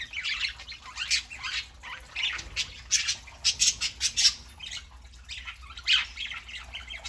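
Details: Pet parakeets including a three-month-old bird chattering on a Saturday morning, a quick run of clipped squawks in the middle, scratchy warbles before and after.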